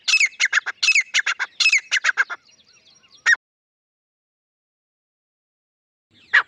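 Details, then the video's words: Grey francolin pair, male and female, giving a quick series of harsh, squealing notes for about two seconds, then a faint trailing bit, a lone loud note, silence and one final squawk. "Madi Grey Teetar ki Awaz | Teetar ki Boli Partridge Female and Male Sound | Grey Francolin Voice"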